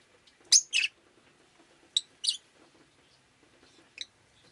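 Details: Pet rosy-faced lovebird chirping indoors on a rainy day: sharp, high chirps in short bursts, a pair near the start, another pair around two seconds, then a single fainter chirp, over a quiet background.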